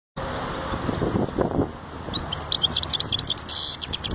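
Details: European goldfinch singing: after about two seconds of low background rumble, a fast run of high, thin twittering notes and short trills, with a buzzy sustained note near the end.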